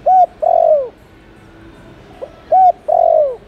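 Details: Spotted dove calling, played to lure wild doves: two phrases of low hooting coos, each a short arched note, a pause, then a long drawn-out note falling in pitch at the end, with faint background hiss.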